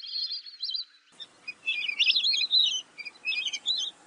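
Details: Lesser whistling duck calling: shrill, wavering whistled notes in short bursts, some rising and falling, with brief pauses between groups and a quiet background.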